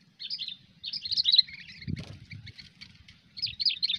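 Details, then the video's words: Sooty-headed bulbul, called a 'cengkram over fighter' and recorded while luring birds for hobby, utters short bursts of bubbly chirps separated by pauses, with a dull thump midway and a low background hum. "Burung Kutilang Cengkram over fighter"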